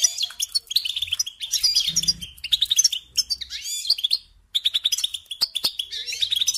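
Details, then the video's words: Goldfinch song lesson for young songbirds: choppy phrases of fast twittering, buzzy and tinkling notes with a short gap mid-way, plus a few sharp clicks and a brief low hum. "Teaching Singing Lessons Through Goldfinch Motives"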